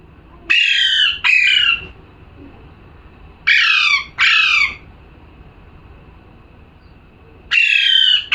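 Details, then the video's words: A parrot gives harsh screeching squawks in pairs: two quick calls, a gap of about two seconds, another close pair, then a single squawk near the end. The quiet background is otherwise empty. "parrot🦜🦜🥰 #calling sound"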